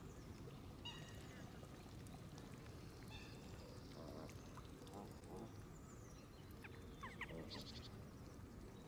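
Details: Canada geese surround the recorder while feeding at the water's edge in green grass. Scattered nasal honks come at intervals, some doubled, over a dense low rumble of background noise.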